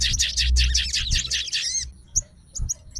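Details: Sooty-headed bulbul, a caged fighter bird, reacting to a singing rival. It gives fast, dense high chatter for under two seconds, then a pause with only a couple of short sharp chips.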